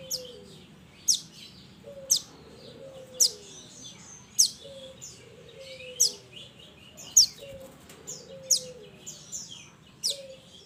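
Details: Minivet from the mountains, called mantenan, calling companions in a lure recording: high, sharp chirp notes repeated roughly once a second, each often followed by a soft, lower descending whistle.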